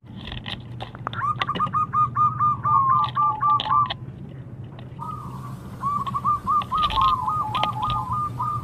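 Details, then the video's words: {'caption': 'Local zebra dove (perkutut) singing to provoke rival birds into answering: rapid trilled, stuttering coo phrases repeated in two bursts, over a steady low hum and scattered clicks.'} "Masteran Pancingan Perkutut Lokal Super Gacor Bikin Lawan Nyaut Dan Langsung Emosi"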